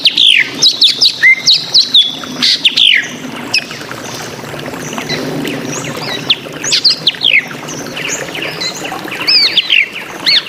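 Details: Varied drongo song made of many quick downslurred whistles and chirps in loose phrases, with quieter pauses between bursts and faint background noise.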